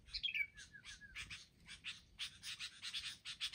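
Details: Sooty-headed bulbuls, wild birds ganging up in a group attack. A few sliding whistled notes open, then rough buzzy chatters repeat in short bursts roughly every quarter second, with several birds calling at once.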